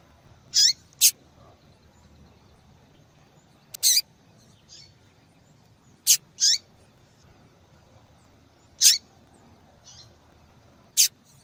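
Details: Female double-collared seedeater calling insistently to attract males, a call used to stir caged males into singing: short, sharp, high chips, single or in quick pairs, about seven spread over eleven seconds with quiet gaps between.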